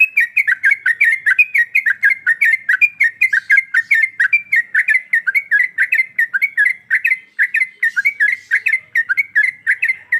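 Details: Female sooty-headed bulbul in breeding condition calling the male: a fast, continuous chatter of short, bright, slightly warbled notes, several per second, running without pause throughout.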